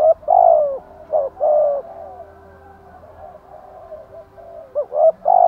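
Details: Spotted dove giving its thúc gù and gáy gọi cooing: short hooked notes followed by a long, husky, slightly falling coo, then quiet before another phrase begins near the end.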